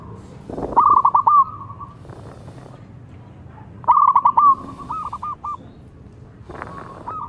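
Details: Young local zebra dove with a loud voice, kept as a lure to set other birds singing. It gives stuttering, rapidly broken cooing notes that merge into a sustained clear tone, in phrases about every three seconds over a steady low background rumble.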